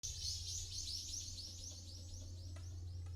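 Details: Okinawa woodpecker in Yanbaru, Okinawa, calling in a rapid series of high, sharp notes, about four per second, above a low steady hum.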